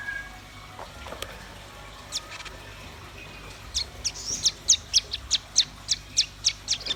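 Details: Red-billed nuthatch and white-rumped shama, local names rambatan paruh merah and murai batu, in energetic song: after a quiet start, sharp high chirps build into a fast, evenly spaced series of piercing notes lasting about three seconds.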